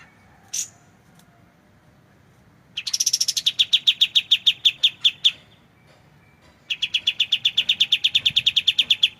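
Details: White-shouldered triller (kapas tembak) singing its clear 'tembakan' shot-like trill, kept as training material for magpie robins. A single sharp note, then two long bursts of rapid, evenly repeated high notes, each running about two to three seconds.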